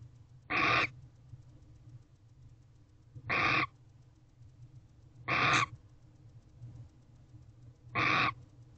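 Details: Barn owl in a nest box at 5:13 am on 8 November 2023, reacting to something outside: four harsh, hissing broadband screeches, each about a third of a second, spaced roughly two to three seconds apart over a steady low hum.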